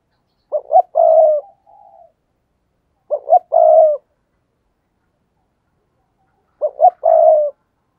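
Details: Decoy spotted dove calling in wild doves. Three repeated coo phrases, each two short notes then a prolonged coo, the first trailing into a faint extra note. Quiet surroundings.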